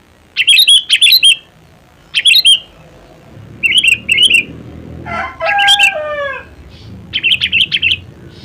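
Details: Kutilang, the sooty-headed bulbul, uttering clipped chattering phrases of rapid chirps; a lower, descending harmonic call from another bird cuts in midway.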